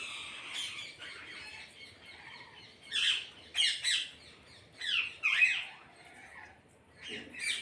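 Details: Parrots calling together: a soft background chatter is broken by separate loud, harsh squawks, each lasting under a second and spaced a second or two apart.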